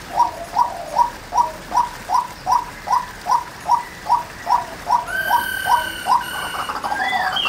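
White-breasted waterhen (female) giving a steady run of short, mid-pitched, hoarse notes, about two to three per second. A higher, drawn-out tonal sound joins near the end.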